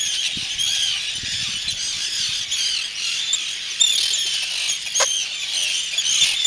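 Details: Arctic terns near an adult returning to brood and protect its young chicks give harsh, grating, high-pitched calls, overlapping almost without pause; a busy chorus of several birds.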